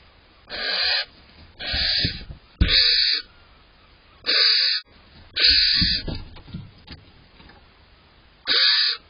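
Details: Barn owl pair around dawn on 5 April 2023, as the male brings frequent prey to the female, gives harsh, hissing screeches: six rasping bursts of about half a second each at uneven intervals, with near silence between.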